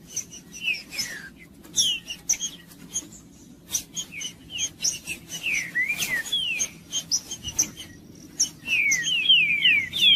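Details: Green-winged saltator singing to fire up a rival. Short, slurred whistled notes come in scattered bursts, then end in a fast run of descending whistles. Sharp ticking clicks and a low background hum are also heard.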